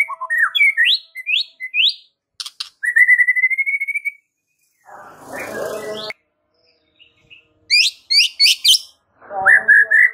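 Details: Murai batu master song: rapid rising whistled notes, a level trill, sharp clicks, then a noisy harsh passage and further bursts of high rising notes and whistles, with gaps of silence between phrases.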